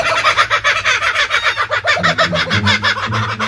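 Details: Kookaburras at Lone Pine Sanctuary, Brisbane, Australia cackle in a loud, rapid chorus of harsh repeated notes, rising and falling like laughter, with a man's voice and laughter underneath near the end.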